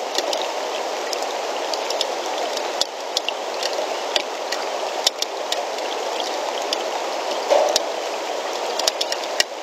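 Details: Continuous rushing hiss like running water, broken by scattered sharp clicks, with no animal voice standing out.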